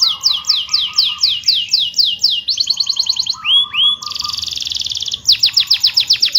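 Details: Canary rolling song for coaxing reluctant canaries to reply: rhythmic descending whistles, fast rattling trill, two upswept whistles, a dense buzzy trill, then quick repeated chirps.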